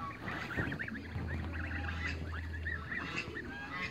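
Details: Young Toulouse geese on the run in a backyard give rapid, squeaky, rising-and-falling peeps in a near-continuous string, with a low hum and some scuffling noise.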